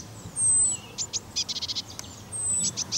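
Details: A Common Kingfisher at the Donge gives two thin, piercing high whistles, each followed by a quick run of sharp, clipped ticking notes, over faint background hiss.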